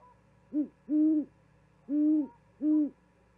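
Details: Owl with a vole gift for its mate, calling until she responds, at a Charlo, Montana osprey nest camera, 13 February 2022. Four resonant low hoots, short then long, pause, then two sustained hoots; faint higher whistle-like tone behind.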